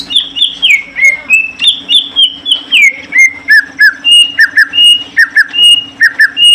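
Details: Male and female greater green leafbirds during pairing: varied ringing whistles that slur downward, then a brisk sequence of doubled short notes alternating with level high whistles, all loud over a faint steady hum.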